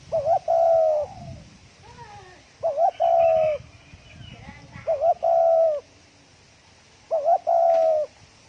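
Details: Rapid 'thổ còi' cooing by a spotted dove, meant to rouse decoy birds. Four phrases of a wavering double note and a long, level coo, spaced about two seconds apart, with faint chirps and twittering from other birds in the gaps.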